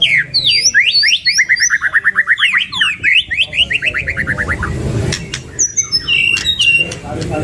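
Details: Two white-rumped shamas in energetic full song, packed with fill-in phrases. A rapid run of sharp, rising whistled notes climbs and falls in a long ripple, then scattered bright chips, with a faint low hum underneath.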